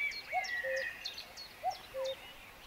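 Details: Common cuckoo calling in West Sussex in May 2019: two clear two-note cuckoo calls, a higher note falling to a lower one, over a chorus of higher songbird whistles and trills, including a blackbird and a chiffchaff.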